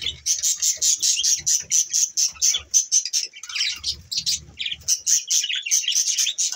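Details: Budgerigars in the morning chirp in a rapid, steady run of high, scratchy notes, several per second, with warbled chatter in between, over background music.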